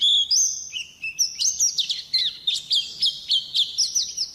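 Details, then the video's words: White-eye (pleci), described as a champion singing nonstop (gacor): a rapid, high twittering song of sliding whistled notes, quick chirps about four per second with uneven spacing, steady and loud throughout. "suara burung pleci gacor juara"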